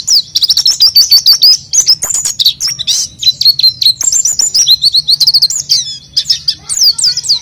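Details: Lively oriental white-eye song, recorded as a lure for untrained birds: a nonstop stream of high, thin twitters and rapid warbled phrases that rise and fall, densely packed chirps throughout, with a faint low hum beneath.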